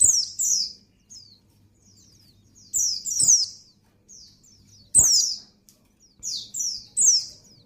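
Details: Female white-eye in breeding condition calling for the male, a run of high, sweeping downslurred notes in doubled and tripled bursts separated by brief pauses, with a few sharp clicks and a low hum.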